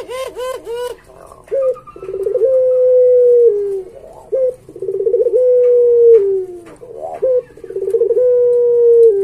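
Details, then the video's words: Barbary dove (puter pelung) song from a training master recording: three quick bouncing notes, then repeated phrases of a short hiccup followed by a long steady low coo that falls at the end, about every three seconds. "Suara Masteran Puter Pelung Gacor Paling Bagus"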